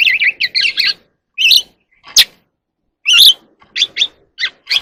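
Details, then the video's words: Oriental magpie-robin from the wild, singing while dancing in the evening. It gives rich bursts of warbled whistles and sharp high chips separated by brief silences, with a crisp downward note in the middle. "kacer alam | Choè than hót múa buổi chiều tối เสียงนกกางเขนบ้าน"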